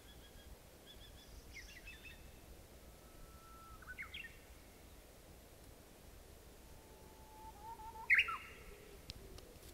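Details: A Japanese bush warbler sings on 26 April 2016, in spring. A low drawn-out whistle slides up into a brief warbled ending, then after a pause comes another long whistle that ends in a sharp, louder flourish. Soft rustling is heard in the background.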